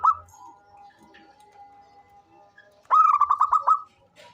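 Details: Local zebra dove, an eager, frequent caller kept as a lure for other doves: a long faint steady hum, then one sharp burst of roughly seven fast, evenly spaced bubbling coos.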